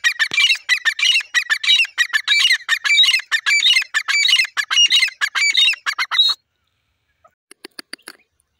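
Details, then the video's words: Calling pair of grey francolins, female voice included: a fast, steady run of harsh, high squawking notes for about six seconds, stopping abruptly, followed by a few faint scattered clicks. "grey teetar bird ka new jorre ki awaz"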